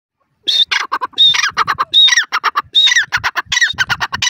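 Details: Grey francolin (teetar) calling in Indian open country: loud, harsh, rapidly repeated notes with high whistled accents, pulsing in an irregular run of about 77 notes per minute with no other clear sounds.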